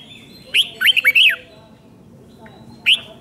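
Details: Red-whiskered bulbul from Thailand giving a five-syllable doubled song used to teach young birds. One quick phrase of four bright, slurred whistles is followed after a pause by a faint note and a single loud chirp.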